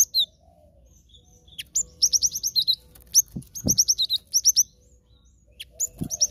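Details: Cinereous tit song used as a trapping lure: clusters of short, high chirping notes given in quick groups of three to five, separated by pauses, with occasional dull knocks and faint background noise.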